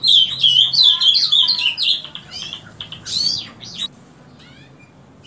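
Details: Ultramarine grosbeak's daily song from 7 in the morning: a dense, bright warble of fast twittering notes and slurs for about four seconds, then quiet.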